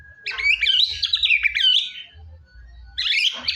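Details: White-rumped shama singing loudly, used to coax a quiet shama to sing: a long rapid warble of jumbled whistles and chatter, a brief pause, then another dense burst.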